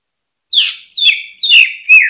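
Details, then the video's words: Greater green leafbird, a caged cucak ijo used as a lure to stir other birds into singing: four loud, rich whistled phrases, each starting high and sliding down, delivered about every half second. "PANCINGAN CUCAK IJO BIKIN NGENTROK FULL HYPER DI GANTANGAN"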